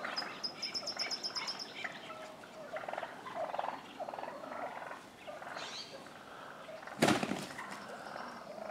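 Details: Wild turkey toms squabbling on a neighbor's front lawn in Willits, Mendocino County; a high whistled trill opens, then softer rolling gobbles, interrupted by a sharp knock near the end.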